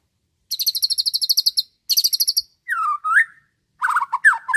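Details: Young caged white-rumped shama about nine months old, tutored to mimic lovebird, canary, finches and other birds, sings linked imitations: two fast trills of high buzzy repeated notes, then lower slurred whistles rising and falling.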